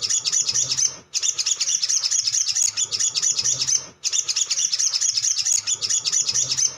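A sogon's fast, high chattering song of tight twittering notes runs almost without pause, the same phrase looping about every three seconds.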